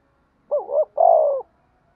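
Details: Spotted dove calling coo tied to fighting: one phrase made of a brief wobbling double note and a longer, steady, slightly falling coo, clean and close.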